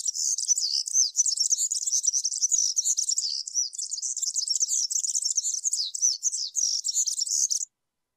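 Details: European serin song: a continuous very high, fast jingling stream of thin buzzy twitters lasting about seven and a half seconds, then stopping abruptly.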